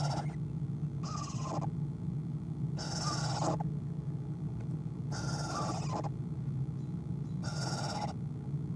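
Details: Owl at its nest, filmed by a nest camera on 5-11-2015 at 1:20 pm, giving a quiet sound: raspy, hissing bursts about half a second long, repeated roughly every two seconds over a constant low hum.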